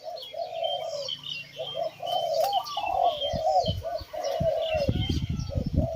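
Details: Kept Spotted Doves cooing together, their mellow mid-pitched coos overlapping into a near-continuous rolling chorus, with faint higher chirps from other small birds above and soft low thumps and knocks underneath.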